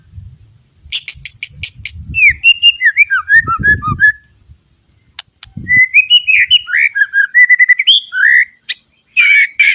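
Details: White-rumped shama in captivity delivering a varied song meant to train young birds: rapid high chattering notes, then fluid whistled phrases rising and falling, with low thumps and bumps in the background.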